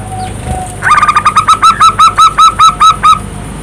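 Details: Zebra dove of the local type, played as a lure to get other doves calling: a faint lead-in note followed by a quick run of roughly twelve evenly spaced, upswept cooing notes over a low background hum.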